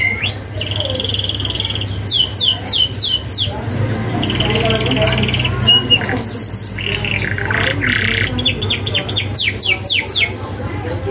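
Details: Canary song with sharp rolling phrases for young birds to learn: bursts of rapid descending notes, buzzy held trills and twittering, some four repeats a second, steady hum beneath.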